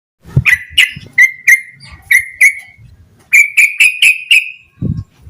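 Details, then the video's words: Yellow-vented bulbul singing vigorously in an agitated, full-repertoire style used to prompt other bulbuls to sing: short bright chirped notes repeated in two quick bursts, each series falling slightly, with low thumps between. "Suara Burung Trucukan Gacor EMOSI KOSLET Full Isian Buat Pancingan Burung Trucuk Agar Cepat GACOR"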